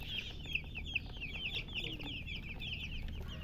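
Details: High, thin cheeping from a flock of young chicks beside a hen, a few sharper peeps standing out early among rapid overlapping chirps, low-pitched background noise throughout.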